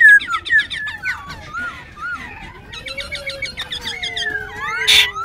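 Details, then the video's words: Caged wild-caught Black-throated laughingthrush performing its dancing song, kept at Tân Túc, Bình Chánh, Ho Chi Minh City. Varied clear whistles, slurred rising and falling notes and harsh harmonic bursts, with a long steady low tone running underneath. "Khướu Bạc Má Bổi Lỡ Hót Múa siêu Mỏ, siêu Giọng"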